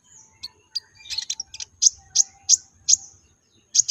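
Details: Brown-throated sunbird song, played to prompt other sunbirds to sing: rapid high, sharp chirps, some doubled or tripled, in an uneven series of about three per second, over a thin steady high tone and faint low clicks.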